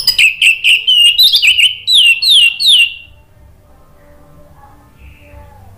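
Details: Caged orange-headed thrush used as a lure to prompt singing: a rapid run of clear whistled notes, many with downward slurs, repeated about every quarter second for three seconds, then quiet with faint background tones.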